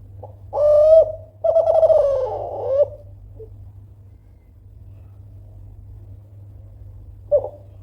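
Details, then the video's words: Loud spotted dove of the Kelantan type, calling to provoke rivals into answering: two strong tonal coos, the first held steady and the second wavering and trailing off, then a pause and a brief coo near the end, over a low hum. "DERKUKU KELANTAN GACOR SUARA KERAS MEMANCING EMOSI LAWAN PASTI NYAUT LANGSUNG"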